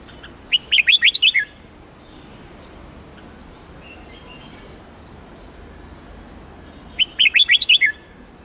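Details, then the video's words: Hue-type red-whiskered bulbul singing, used to train birds for singing contests and to fire up newly caught wild birds: two bright, rapid phrases of about eight whistled, warbling notes, separated by several seconds of quiet outdoor background noise. "Chào mào Huế kéo giọng cực đỉnh, luyện chim hót đấu, kích bổi mau lên lửa"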